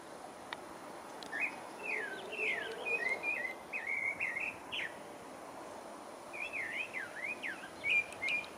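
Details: A pale-breasted thrush (Turdus leucomelas) singing in French Guiana gives two bursts of varied, warbled whistled phrases, rising and falling notes strung quickly together, with a pause between, over faint background hiss.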